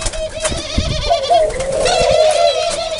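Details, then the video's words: Brief low dove cooing: a warbling, hum-like tone that swells slightly in the middle, with faint high twittering from other birds and some low thumps behind it. "Dove bird what a nice sound"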